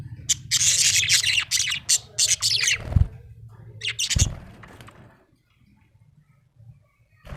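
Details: Happy budgerigar chirping in a lively run of scratchy, buzzy bursts over the first three seconds, then two harsher notes near four seconds before quiet, with a low steady hum underneath.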